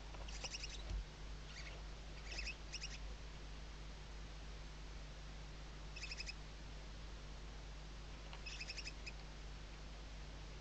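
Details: Nest webcam in Spain's Ebro Delta, Riet Vell reserve, Tarragona, 2023 season: Western barn owl chicks beneath the mother's wings give brief high chittering bursts at irregular intervals, separated by long stretches of low electrical hum.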